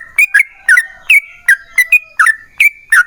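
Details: Bubbly, whistled notes from a Yellow-vented bulbul in long-roll gacor song, a lure to make others reply; about ten quick slurred phrases in three seconds, several doubled.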